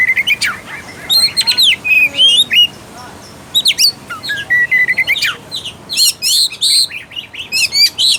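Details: Oriental magpie-robin singing as a lure to stir a reluctant caged bird into song and fighting mood; clear whistled notes, slurred rising and falling phrases, and sharp chirps in quick bursts, steady medley throughout.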